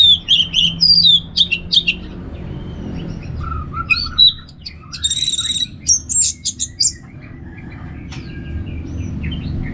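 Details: Orange-headed thrush (anis merah) singing in the ngeplong style, from North Bali: loud, varied bursts of clear whistles and sharp high notes, with buzzy trilled phrases and short pauses between outbursts over a low steady background hum.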